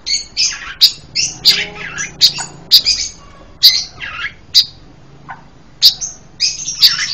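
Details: Panca Warna bird with a varied song, suited for master recordings and trap luring; harsh, scratchy high notes in rapid, irregular bursts mixed with squeaky squawks, near continuous throughout.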